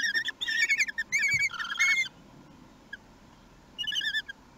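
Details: Common kestrel at a nest in Théding on 11 June 2021, as a male delivers prey. Quick series of short, thin, rising chirps in rapid bursts for two seconds, a quiet pause, then another brief burst.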